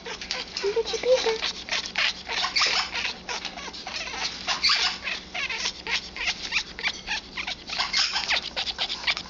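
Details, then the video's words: Hormonal mating behaviour from an 11-year-old female Congo African grey parrot: continuous busy clicking and rasping pulses, with a brief low squeak early on. "African Grey hormonal behavior"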